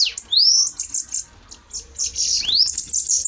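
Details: Two short bursts of thin, high buzzy trills from dueling bananaquits, each opening with a rising swept note, with a brief quiet gap between.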